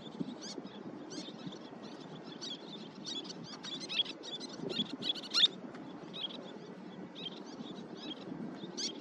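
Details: Little terns at a breeding site on Bali, where they nest on the ground, give sharp, high, clipped kip notes, with several birds overlapping in a busy, irregular chatter over a steady low rumble of wind or surf.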